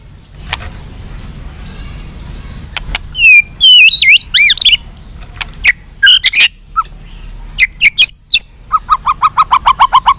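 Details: White-rumped shama fighter song, meant to stir captive trainee birds into responding and fighting: varied sweeping whistles, sharp high notes and squawky phrases, ending in a rapid series of about ten repeated clipped notes, over a low background rumble.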